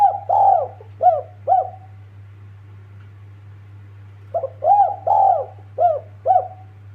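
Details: Spotted dove calling to companions, giving a three-note coo phrase, then a pause, then a fuller phrase of about six mellow, arched coos, with a steady low hum throughout.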